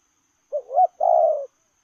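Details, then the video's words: A single lèo rồng coo phrase from a running spotted dove: a short hoot sliding into a swelling second note, then a long steady coo that fades at the end, with silence around it. "Gù Lèo rồng vừa chạy vừa gù"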